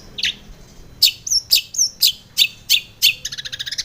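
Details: Female long-tailed shrike, played in the morning as a lure to steady a caged shrike's temper: loud, harsh, scratchy chirps repeated about every half second, each with a brief upslurred whistle, ending in a quick rattling run.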